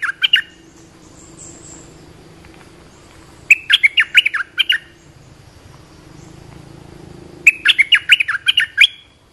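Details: Olive-winged bulbul calling, a sound used for training young birds and luring wild ones: rich, gurgling phrases of quick up-and-down notes, one cut short at the start, then two full phrases about four seconds apart.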